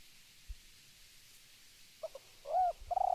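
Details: Spotted dove calling: after a near-silent start, a short soft note, then a low rounded coo and the start of a drawn-out coo.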